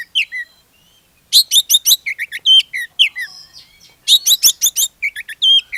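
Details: Oriental magpie-robin (kacer) song played as a lure for other magpie-robins; quick bursts of stacked chattering notes mixed with slurred whistles and short downward notes, nearly continuous.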